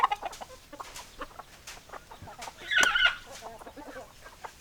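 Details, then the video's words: Flock of chickens with scattered short clucks and chatter, a sudden loud squawk near the middle, then softer clucking continuing among several birds. "Chicken Sounds Noises Hens Clucking Roosters Crowing"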